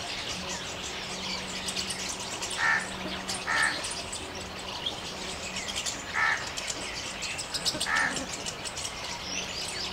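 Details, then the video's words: A small flock of jungle babblers in open forest, in India, chatter and mock-fight while a pair allopreens, giving four short, harsh, squeaky notes at irregular intervals over a steady insect hiss and distant birds. "Jungle Babbler causing chaos in open forest with calls & mock fighting"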